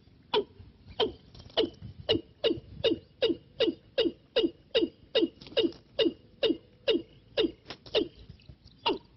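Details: Decoy call of a Watercock for trapping: a long, steady run of about fifteen short, abrupt calls, each dropping sharply in pitch, repeated roughly every half second.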